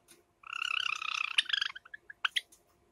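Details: Two kept Java sparrows in summer, light silver ino and sakura: a steady pulsing buzzy churr running for over a second, breaking into quick descending chirps and two sharp tweets.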